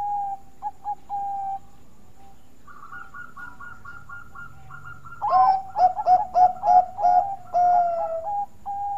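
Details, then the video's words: Melodious Bangkok-type zebra dove song used to draw other doves into singing: a few short coos, a faint, higher, rapid run of notes behind, then a loud fast burst of staccato coos and a long held note. "Burung Perkutut Bangkok Suara Merdu Bikin Pancingan"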